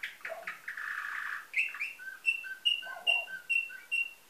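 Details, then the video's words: Canary of nightingale-type song from a Varna, Bulgaria breeder, 2013: a churring rolled phrase followed by bright piping notes alternating high and lower, repeated about twice a second. "Bülbül ötümlü kanarya , canary - Nightingale"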